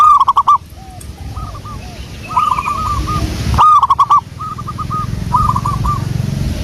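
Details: Local wild zebra dove song used as a lure: soft, bubbling coos at a steady mid pitch in stuttering multi-note phrases, the phrase given twice, each opened by a burst of sharp clicking taps, over a low background hum.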